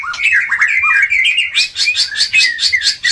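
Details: White-rumped shama singing to raise breeding urge: rambling low warble that changes into a rapid, rhythmic series of bright chattering notes.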